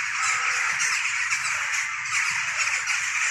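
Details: Mixed flock of jackdaws, hooded crows and rooks before dawn in late October, perched in trees and flying in a cloud across the sky, often numerous before frosts; a dense, continuous wash of overlapping harsh calls with no single voice standing out.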